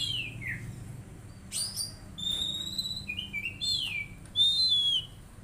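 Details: Untrained magpie-robin in a cage, kept under daily care, delivers a sequence of sweet sliding whistles, several short buzzy notes and a final loud drawn-out clear whistle.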